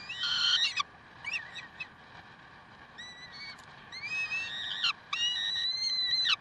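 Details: Peregrine falcons, Karlsruhe, 30 May 2010 at 7:27: long harsh wailing cries with sliding tones, several drawn out for about a second, separated by short quiet gaps and a steady hum.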